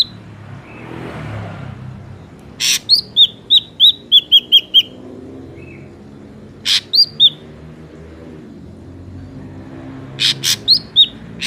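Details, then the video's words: Ashy drongo song serving as a lure for trapping: a quick run of about eight clear, high whistled notes, each dropping in pitch, introduced by a harsh burst and followed by further rasps and whistles. "PANCINGAN SUARA BURUNG SRIGUNTING AMPUH"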